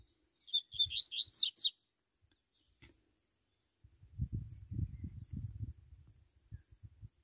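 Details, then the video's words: Double-collared seedeater singing in the wild in the bush: one loud, high, rapid phrase of about a second, a tumbling run of sharp, slurred notes, followed by a few seconds of low, murmured human voices. "coleiro soltando canto no mato"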